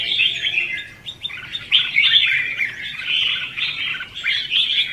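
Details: Red-whiskered bulbul competitive singing, the 'hót ché' style, used to lure and train birds. Busy, continuous chirping warble with quick notes running together, rising louder in the second half.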